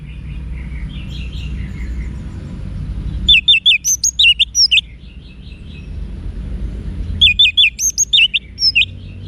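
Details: Orange-headed thrush wiksar song used to make cage birds reply: two bursts of sharp, rapid whistled notes with looping upsweeps, separated by softer, distant chirping.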